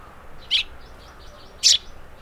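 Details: Eurasian tree sparrow giving two brief, bright, high-pitched chirps about a second apart, the second louder, against a low steady background hum.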